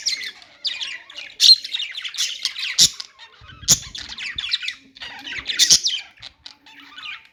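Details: Chattering of budgies, a steady run of rapid, scratchy chirps and squawky notes broken by a few sharp clicks and short pauses.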